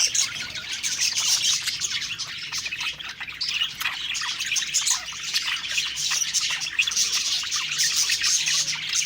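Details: Several budgerigars sing while eating; a dense, raspy chorus of squawks, chirps and warbling carries on steadily, many birds calling over one another.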